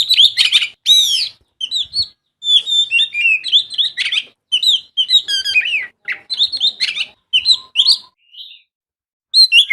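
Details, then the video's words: Kacer, the Oriental magpie-robin, singing a full varied song: crisp whistled notes and rapid slurred trills in short rhythmic phrases, with pauses between groups and a quiet spell near the end. "Masteran Mewah Burung Kacer Full Isian Dan Tembakan"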